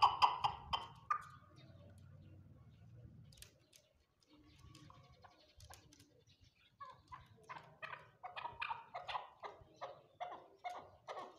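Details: Farmed chukar partridge giving harsh clucking notes, first in an excited burst, then a quickening series of chuck calls about two a second; a low hum early on.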